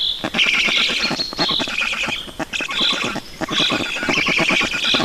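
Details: Begging from Black storks being fed in Estonia, 5 June 2019: a loud, continuous mix of rasping rapid pulses and higher whining squeals, rising and falling in intensity.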